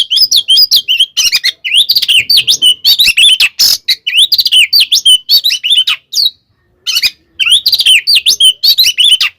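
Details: Caged Oriental magpie-robin singing its rival-provoking fighting song: sharp V-shaped whistles, harsh noisy bursts and chattering trills in quick succession, one clear pause of about half a second before the song resumes.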